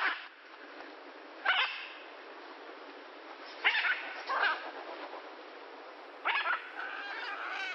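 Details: Macaws calling in nature: four harsh, raspy squawks, each about half a second long, spaced irregularly over a steady hissing background.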